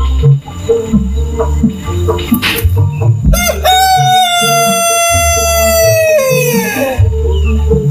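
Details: Cock crowing in the yard over steady background music with a thumping bass: a single long, strong crow rises sharply, holds level for about three seconds, then slides down and fades.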